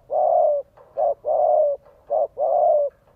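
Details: Spotted dove from Vietnam, a decoy bird cooing to provoke and draw in a wild male quickly; low hollow coos alternating long drawn notes with short clipped ones, about five phrases in quick succession, quiet background.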